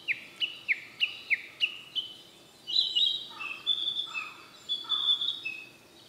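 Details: Male Siberian blue robin: a run of six sharp descending chirps at steady intervals, followed by a bright high rattle and lower slurred notes.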